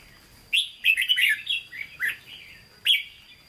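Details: Captive Vietnamese red-whiskered bulbul delivering its Hue-style song, a lively burst of sweet tumbling whistles followed by two shorter slurred notes, clean and close with a faint steady electronic whine.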